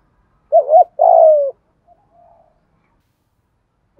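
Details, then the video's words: Spotted dove giving a 'giọng thổ'/'giọng thúc' coo meant to train wild-caught birds that coo too little: a wavering note and a longer mellow hooting note, a faint soft trailing note, then a new coo beginning. "Tiếng chim cu gáy giọng thổ, giọng thúc + gáy gọi rất chuẩn để tập những con bổi lười gáy"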